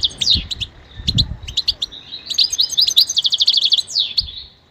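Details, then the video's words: Goldfinch song: sharp descending chirps, then a quick series of repeated liquid notes and a final slurred call, with faint low knocks. "listen to the most beautiful motivational"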